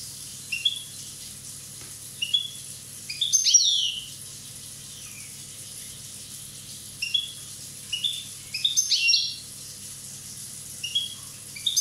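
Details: One-year-old Corsican European goldfinch: scattered short bursts of high, thin twittering and chirps, with pauses of a second or more between phrases, over a steady low background hum.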